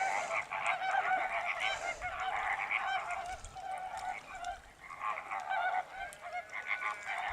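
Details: Greater flamingos calling as a group in a steady chorus of harsh, goose-like honks. The overlapping calls are repeated rapidly and rise and fall in loudness throughout, with no gaps.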